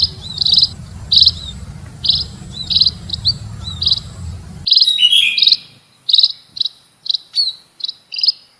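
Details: Lure call of munias (emprit): high, thin chirps with small slurred whistles between them; the low hum stops partway, leaving crisper, clearer chirps in a quiet background.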